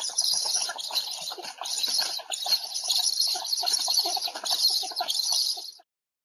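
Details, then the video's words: Black stork near Łódź on 20 July 2020 during the afternoon feeding, giving rapid rasping, clucking pulses in an unbroken stream for almost six seconds, then abrupt silence. "Bocian czarny - Podwieczorek"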